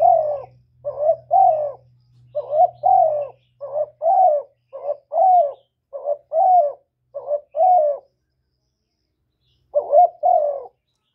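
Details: Decoy spotted dove calling in a mix of calling, urging, accompanying and cooing styles, used to stimulate other doves. Paired hollow coos, a short wavering note then a longer falling one, repeated steadily with a pause near the end, and a low hum early on.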